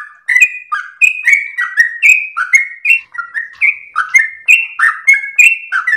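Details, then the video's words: Rolling, melodious sooty-headed bulbul song used to train and provoke other birds; quick liquid notes alternate between higher and lower pitches, each tipped with a sharp tick, uninterrupted throughout. "trucukan gacor lagu MERDU ropel nafas panjang TERBAIK buat masteran pancingan"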